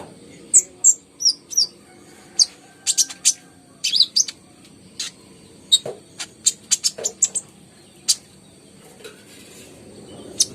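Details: Konin, or kolibri ninja, singing energetically, played to prompt caged birds that are reluctant or slow to sing. Sharp, very high chirps and twittering notes come in scattered bursts, with brief pauses between groups.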